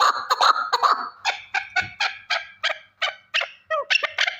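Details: A male partridge starts with a few blurred, overlapping notes, then settles into spaced, harsh chuck calls about three per second, ending in lower, throaty notes.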